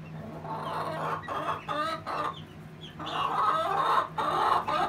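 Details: Two hens, a Rhode Island Red and a Golden Comet, possibly giving the egg song: loud, harsh clucking bursts in an uneven series, with a steady low hum behind.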